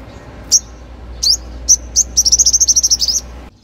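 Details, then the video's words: Sunbird, known locally as the five-coloured sunbird, singing a lure song used to call young wild birds and to spur caged birds into song: a few sharp high chirps, then a rapid run of about thirteen bright, high ticking notes. "Tiếng hút mật 5 màu/chim chuyền gọi bổi"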